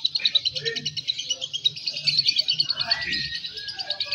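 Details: Balibu lovebird in competition, chattering in fast, pulsing high notes about a dozen per second, steady and trill-like, with faint voices low beneath.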